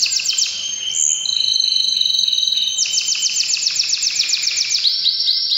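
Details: Singing canary in breeding season delivers a strong, high-pitched song, fast repeated chips, a long steady whistled tone, then rapid rolling trills that quicken toward the end.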